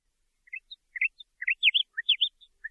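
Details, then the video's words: Nightingale song: a quick run of short chirped and slurred notes rising and falling, about a dozen separate notes over two seconds, clean with no background sounds. "تغريد عندليب"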